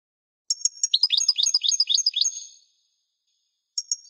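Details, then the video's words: Goldfinch song as a rapid run of high tinkling twitters, many per second, lasting about two seconds, then a brief fresh start after a pause, clean recording. "chant de chardonneret"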